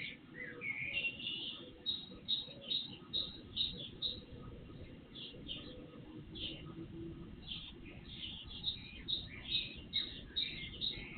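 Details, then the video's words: Birds singing before sunrise, recorded through an IP surveillance camera: a rising whistle opens, followed by a long run of sharp, evenly spaced chirps roughly twice a second, over steady background noise. "Night Birds Song"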